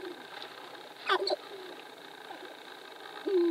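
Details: Sharp-tailed grouse displaying at Wainwright, Alberta, 2015; a burst of snapping, rattling clicks is followed by one drawn-out, low, gently falling coo near the end.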